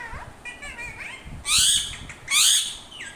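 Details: Parrot calls: soft rising and falling chattering notes, then two loud harsh screeches about a second apart, with low rumbling background noise.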